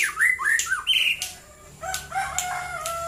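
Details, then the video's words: White-rumped shama in morning song, short run of whistled rising and falling notes followed by softer lower warbling and a faint low hum underneath. "KICAU BURUNG MURAI BATU DI PAGI HARI"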